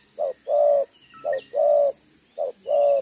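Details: Caged male spotted dove with a double-banded neck collar, kept as a calling bird in Vietnam, recorded 11 June 2023; three paired coos, each a short note followed by a longer level hoo, about one pair per second.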